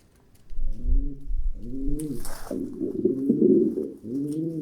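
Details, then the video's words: Deep pigeon cooing in arched, throaty phrases, with a low thumping at the start and a brief noisy flutter around the second second. "Pigeon Sound Effect - the sounds that pigeons make"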